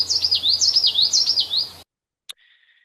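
Common Yellowthroat song: three quick, rolling witchety phrases, high and bright, in under two seconds. Then silence, a sharp click and a faint thin tone.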